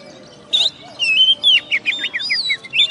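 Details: Oriental magpie-robin, a caged singing-contest champion from West Kalimantan. After a sharp opening note, it rattles off a quick series of descending whistled slurs, each lasting a fraction of a second.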